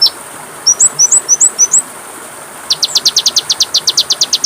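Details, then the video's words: Training song of the kacer, the Oriental magpie-robin: a few rising whistled slurs, a pause of about a second, then a rapid regular train of sharp repeated notes. "MASTERAN KACER PALING DI CARI, masteran Kacer suara burung kecil yang sedang tren di tahun ini"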